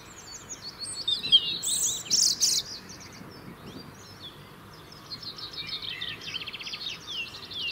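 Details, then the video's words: Robin in the UK singing to maintain a winter territory, one of few birds singing through the year: scattered high twittering phrases, a brief burst, then rapid trilled notes later on, other distant birds faint. "Beautiful song of Robins"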